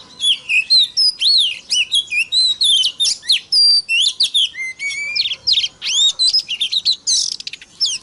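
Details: Lure song of an Oriental magpie-robin, aimed at rousing rival birds to sing: a continuous, fast medley of looping whistles, sharp chips and slurred high notes with hardly a pause over eight seconds.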